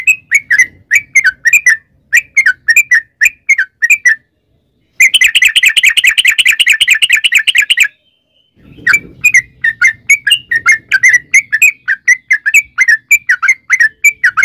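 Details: Sooty-headed bulbul giving 'ropel panjang' song as a lure to set other bulbuls singing: bubbly whistled phrases, a silence, then a dense rattling trill of about three seconds, a pause, and more rapid notes.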